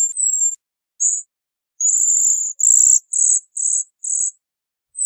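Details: Bohemian waxwing calling with a high, thin trill, then a series of short, buzzy, rattling trill bursts repeated about twice a second, all very high-pitched.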